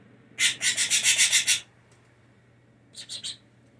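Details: Blue jay kept indoors after falling from its nest as a chick, delivering a rapid run of about eight grating, scratchy pulses, a pause, then three more similar pulses, against a quiet room hum.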